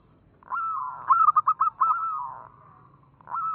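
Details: Active local zebra dove whose sweet little voice is used to lure birds. A drawn coo breaks into five quick, bouncing pulses, then trails off in a long, even note before another coo begins. A steady high whine runs throughout.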